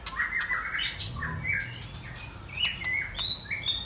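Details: White-rumped shama giving loud, clear whistled notes, a string of short rising and falling phrases spaced about half a second apart, over faint low rumble.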